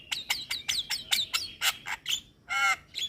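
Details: Javan myna singing with nodding, meant as a lure and therapy for moulting mynas; a quick series of clipped whistled notes with buzzy edges, ending in a long grating squawk.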